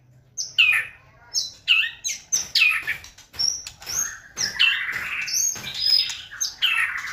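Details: White-rumped shama song meant to provoke singing: a string of about a dozen sharp, high chirps with buzzy tails, repeated roughly every half second, bright and piercing throughout.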